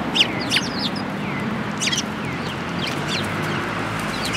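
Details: Sparrows coming to be fed at a Tenmangu shrine on 24 February 2022: short, sharp, high chirps in quick clusters near the start and again around two and three seconds, over a steady low background rumble.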